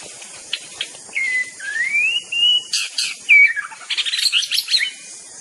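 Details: Murai batu song from a white-rumped shama: a long wavering whistle climbing gradually, a sharp downslurred note, then a fast burst of scratchy high chattering notes over faint hiss.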